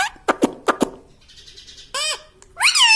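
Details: Indoor talking pet parrot that says "mitthu mitthu" and "mummy": a few sharp clicks, then two ringing, arched, harmonic syllables near the end.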